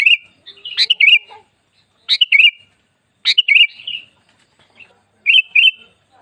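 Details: Sooty-headed bulbul, a kept cage bird, singing to stimulate other bulbuls to sing: four short liquid phrases of two or three whistled notes, spaced about a second apart.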